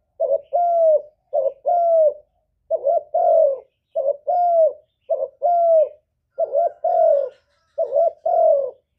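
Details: Spotted dove cooing to trigger other doves to reply: a steady series of low paired coos, a short note leading into a longer level one, with even gaps and no other sounds.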